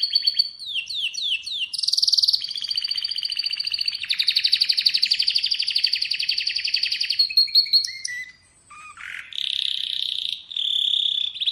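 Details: An Atlantic canary sings a varied extended song: descending sweeps, a buzzy burst, long fast trills over several seconds, brief pauses, then a low buzz and another sustained rolled trill.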